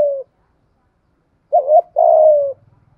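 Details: Spotted dove used as a lure bird, cooing in the 'gáy gọi một hậu' pattern to excite wild doves; the end of one coo, silence, then a wavering double note and a long falling coo, with soft low rattling afterwards.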